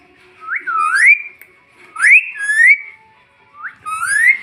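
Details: A pet parrot indoors whistles, a bird otherwise known for saying 'mitthu mitthu' and 'mummy'. It gives smooth, rising, slurred whistled phrases in three bursts, about two seconds apart.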